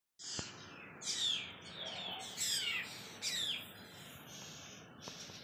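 A black drongo gives harsh, rasping alarm calls, four or five high scratchy bursts sweeping downward over about three seconds, with soft clicks at the start and end.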